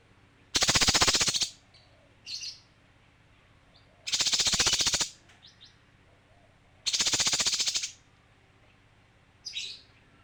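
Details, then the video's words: Three loud, dry rattles from a male kinoi, roughly a second each and spaced about three seconds apart, each followed by a short, softer buzzy note. "Suara kinoi jantan"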